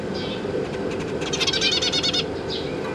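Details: Zebra finch family kept in a cage, parents busy feeding their new babies while juveniles practise flying: a quick chattering run of nasal harmonic notes, about three per second, between softer single calls, against constant background hum.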